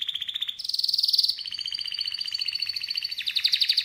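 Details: Canary singing a fast, loud chain of rapid trills, each tour a rattling series of identical notes, switching between high and slightly lower pitches every second or so, continuous throughout.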